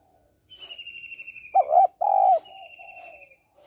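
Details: Female spotted dove calling to stimulate males: a loud, low, two-part coo in the middle, with softer warbling coos before and after and a long, thin, high whistle sliding slightly downward.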